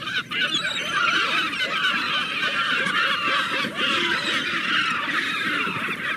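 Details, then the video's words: Seagulls heard as an unbroken wall of overlapping harsh calls, many birds close together, with no pauses. "Relax with the sound of the seagulls"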